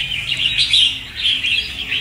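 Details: A newly caught wild red-whiskered bulbul gives bright, rapid, high, warbled chirping notes, running continuously for two seconds with little else heard.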